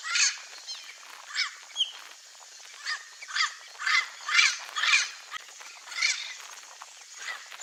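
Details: Free-living turquoise-fronted amazons in natural habitat, Brazil, giving raucous, grating squawks with curved inflections, roughly two per second in an irregular chattering sequence.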